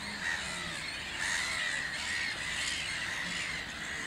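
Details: A male and female pair of Common shelducks at Upton Warren, Worcestershire, England give harsh squawking calls over a steady hiss, with a thin whistled note running through the middle of the sound.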